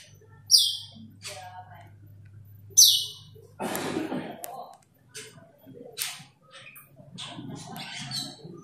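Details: Asian glossy starling calling a rival: two sharp falling high notes open the passage, followed by a burst of broadband noise, hum and scattered faint chirps.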